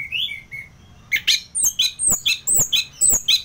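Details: Orange-headed thrush in ngeplong song, North Bali: two mellow whistles, then sharp, very high piercing notes repeated in quick succession, each with a clicking edge.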